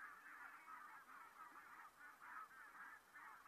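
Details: A flock of geese flying over Saastna on 4 November 2018 calls continuously, a dense chorus of nasal honks and yelps overlapping with no gaps.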